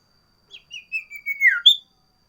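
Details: Sooty-headed bulbul (sirtu) variation song, loud and persistent: a short run of soft whistles building into a drawn-out descending slur, then a sharp high note.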